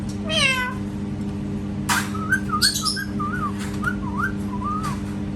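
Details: Parrot mimicking cat sounds: one short meow-like wail, then a run of clear, wavering whistled notes rising and falling, with a few sharp clicks and a constant low hum behind.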